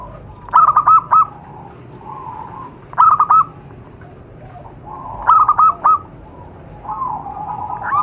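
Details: Wild zebra dove used as a lure call: a clipped, stuttering coo phrase repeats three times at a steady pace of roughly every two and a half seconds. Quieter soft coos fill the gaps.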